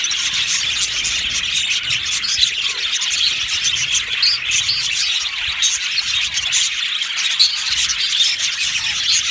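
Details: A happy flock of budgies in an aviary keeps up steady chirping, a thick layer of high twittering notes and short squeaks overlapping throughout without a break.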